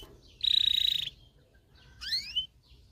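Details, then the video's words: Canary song recorded to train male canaries to sing and stimulate females to mate: a fast, even, high trill of about a dozen notes, a pause, then bright upward-sweeping whistles. "غناء طائر كناري لتدريب والتسميع ذكور الكناري على الغناء Canary singing"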